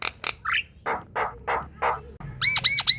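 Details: Lively javan myna song for prompting other birds to sing: harsh scratchy bursts and a rising squeal, then a quick run of bright, repeated whistled notes at the end.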